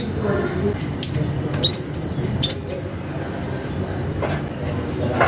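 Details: Cinereous tit (gelatik batu) calling to a rival: thin, very high whistled notes, each sliding downward, given in two quick pairs, over a low background hum.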